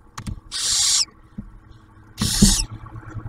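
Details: At a barn owl nest box near Oak Harbor, Ohio, during the male's food delivery and the female feeding the owlet, two rough hissing screeches sound among scattered clicks and shuffling thumps.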